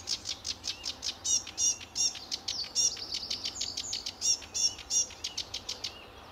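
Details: Very lively sedge warbler singing its heart out at RSPB Fowlmere on a sunny early July morning, 2013; rapid stream of dry clicks and buzzes mixed with sharper whistled notes.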